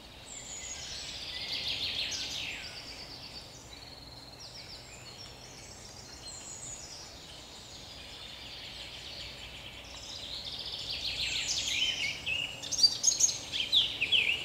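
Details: A common chaffinch sings in a forest on 30 May 2021, bright rattling phrases tumbling downward and ending in a quick flourish.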